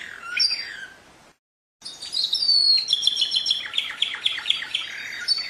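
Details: Canary in song, a short descending warble followed after a pause by a long rapid trill of high chirping notes, lively and continuous.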